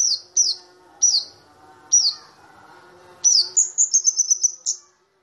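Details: Kamade or cabe-cabean flowerpecker, a small bird with a loud, ringing voice, used as lure material for white-eyes: several separate sharp high downslurred chips, then a fast run of high piercing notes, with faint hum behind.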